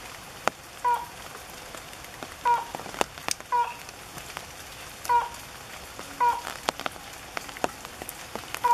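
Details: Slaty-legged crake at Goncoi, Aldona, Goa, India, on 10 July 2014; a short nasal note repeated roughly every one to one and a half seconds, with sharp rain-like clicks throughout.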